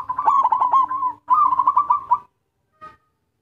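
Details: Local zebra dove song used to lure other zebra doves: two bursts of rapid, warbling cooing notes with a stuttered rhythm, each about a second long, then a brief faint note after a pause.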